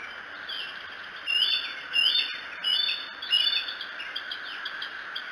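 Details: Bald eagle near the Decorah nest camera, 2 July 2018, recorded around 3 to 4 o'clock: short, high, thin rising whistled notes about once a second over a steady background hiss, with a faint higher whine throughout.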